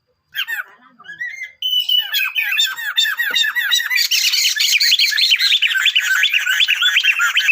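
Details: Male and female Sunda laughingthrush: a few scattered rising whistles, then a rapid, continuous stream of looping, up-and-down whistled notes growing busier and louder.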